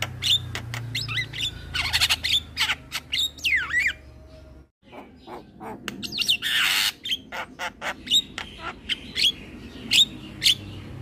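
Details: Caged young male Javan myna singing vigorously, used as a master recording. Squawks and looping whistles, a brief silence near the middle, then a harsh burst and a steady run of sharp chirps.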